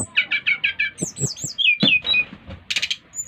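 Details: Bali brown-chested jungle flycatcher singing to stir other birds into song. A short burst gives a quick series of five repeated chirps, then falling slurred whistles and a soft knock.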